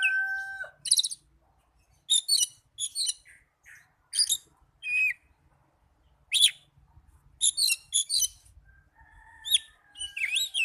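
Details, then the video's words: Oriental magpie-robin, young or non-singing birds targeted by a singing therapy recording; a scattered series of sharp, high whistled notes and chirps, some rising and some falling, separated by short pauses, with a low whistle at the start. "Terapi burung kacer muda dan kacer macet bunyii"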